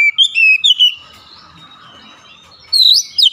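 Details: Oriental magpie-robin singing with beak open wide in a sharp, punchy style: quick string of bright whistled notes and slurs, a quiet pause, then another loud burst of rising whistles.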